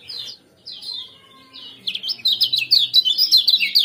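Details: Common Iora giving 'ciak-ciak' and 'jos' chirps, used to bring kept birds into breeding condition and as a tutor recording. A few spaced high notes give way to a quick, steady string of sharp chirps.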